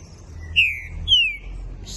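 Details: Pair of loud, pure whistles from a young trinca-ferro, or green-winged saltator, bred from Pica Pau x Fogueira stock; each note starts high and glides down, spaced about half a second, with a faint hum beneath.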